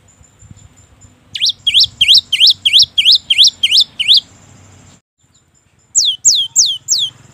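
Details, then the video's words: Cinereous tit song serving as a lure for lazy singers: eight rapid two-part whistled notes, a steady high tone, brief silence, then four strong downslurred notes. "Pancingan Gelatik Bahan || Seketika Langsung Nyaut cocok untuk pancingan Gelatik malas Bunyi..!!"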